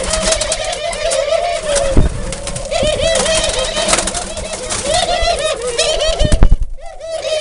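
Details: A dove coos in a series of low, bowed, purring phrases, each rising then falling, against dense high-pitched chirping from other birds and a few sharp knocks near the end.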